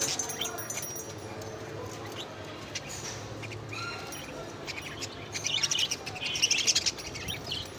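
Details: Several budgerigars feeding together on fresh leafy greens indoors give soft, scratchy chirps and twitters that swell into a busier burst of chatter near the end.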